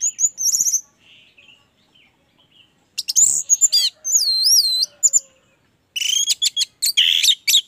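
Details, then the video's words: Orange-headed thrush singing in a lure recording used to prompt other birds to sing, with loud high whistled phrases in separate bursts, looping up-and-down notes and quick chirping runs between short silences. "Anis merah gacor, pancingan Anis merah agar cepat gacor"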